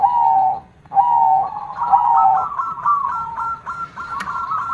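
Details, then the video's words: Zebra dove, a prized songbird called perkutut with a big, loud voice, sings drawn-out cooing notes near mid pitch, steady then stepping slightly higher toward the end, with a short gap early on. "silver gacor suara besar KONG - perkutut mana yg gak merinding dengarnya."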